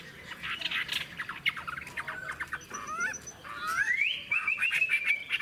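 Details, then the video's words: An old wild-caught Chinese hwamei sings well, a rich, varied run of loud whistles and slurred notes mixed with harsh chattering, ending in a long upward-sliding whistle and a clear sustained phrase. "Họa mi già rừng hót hay"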